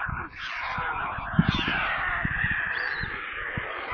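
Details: Hungry white stork chicks in a nest near Kaluga, Russia, beg with a continuous hoarse, rasping screech that barely pauses, over soft low thumps and knocks.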